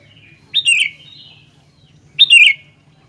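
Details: Sooty-headed bulbul singing two bubbly phrases, each a quick rising-then-falling warble, separated by a short pause, over a faint low hum.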